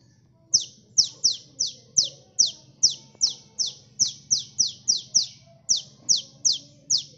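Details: Energetic sunbird (kolibri) song meant to attract birds for trapping: an unbroken string of bright, high chip notes, each sliding downward, repeated roughly every half second.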